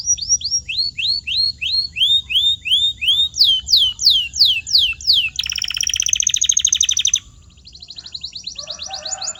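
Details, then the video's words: Canary song used as a training sound for silent or muted birds: rapid tours of sharply falling whistled notes, then a faster high series, a dense buzzy trill and a softer scratchy ending, about three notes per second. "Powerful Canary Sound to Fix Silent or Muted Birds"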